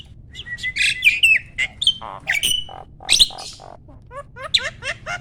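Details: Adult male Asian pied starling at peak breeding condition, kept by a breeder, in a pumping display: a busy jumble of whistles, grating squawks and rapid descending chirps, ending in a quick run of repeated clicking notes.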